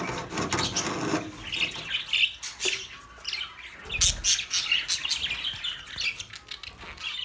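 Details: Budgerigars chatter with rapid squeaky chirps and warbled notes in uneven bursts, a dull thump partway through, the calls continuing to the end.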